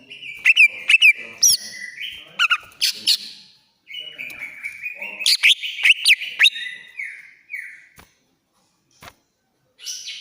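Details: Greater green leafbird from Banyuwangi in agitated, shrill 'ngentrok' song meant to prompt a silent bird to sing: loud high whistled phrases sliding and stepping in pitch, rapid runs broken by short pauses.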